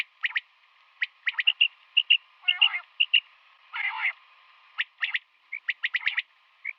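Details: A female common quail calling in the morning gives short, high chirping notes, singly or in quick clusters of two or three, with two brief harsh, buzzy bursts between them.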